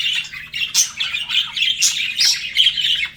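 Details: Flirting budgies: short loud squeaky chirps and scratchy warbled notes tumble out in rapid, irregular succession, with a few sharp high squeaks.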